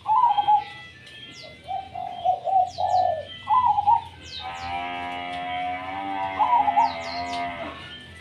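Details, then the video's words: Perkutut, a zebra dove, singing tumpang sari. Several short, rolling, vibrating coos come in quick succession. A steady, buzzing, droning tone then takes over with one more coo inside it, while high sweeping chirps of other birds sound throughout. "perkutut gacor tumpang sari"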